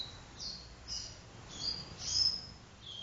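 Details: Copper seedeater singing indoors in a living room in the do-re-mi vibrasom style: faint, high, pure whistled notes, some slurred and some steady, spaced about half a second apart over a soft background hiss.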